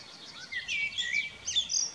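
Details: A common blackbird sings on a spring evening, 11 May 2018, from a house roof and an old telephone pole: a brief phrase of short fluty notes breaking into high, squeaky twittering, over a faint outdoor hiss.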